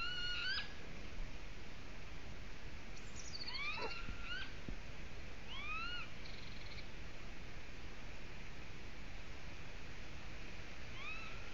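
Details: Golden eagle adding another twig to its nest in Latvia; scattered upslurred whistling yelps and a brief harsher note, irregularly spaced, with constant background hiss throughout.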